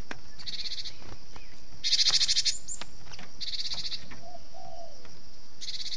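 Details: Cinereous tit, gelatik batu, in a 'kejepit' (pinched) distress call used as a lure to draw down wild birds: four harsh, buzzy, rasping bursts, each under a second, spaced irregularly, with a faint low whistle and steady high hiss behind.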